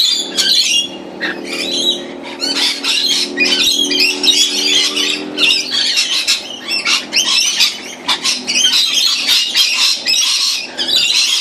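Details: An unusually large flock of rainbow lorikeets that arrived suddenly on 04/04/16 screeches nonstop in harsh, shrill, overlapping bursts, with a low engine-like hum underneath for the first few seconds.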